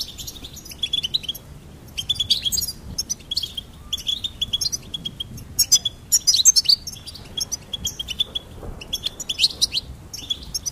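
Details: Goldfinch song in clear bursts of sharp, high, tinkling chirps and quick trills, separated by short silences, the loudest phrases in the middle.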